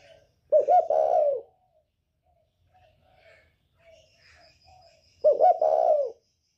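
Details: Spotted dove, northern type, 'còi bổi' voice used to provoke birds: two low hoarse coo phrases about four seconds apart, each a stuttered double start and a long falling coo, with faint chirps between.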